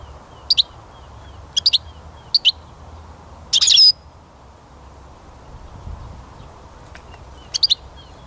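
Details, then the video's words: European goldfinch song, recorded outdoors at a new site after the 2021 songbird-catching season ended, later than morning following a wet morning: bright, high twittering notes mostly in quick pairs about a second apart, with one longer tinkling burst, against a quiet background. "Пение Щегла"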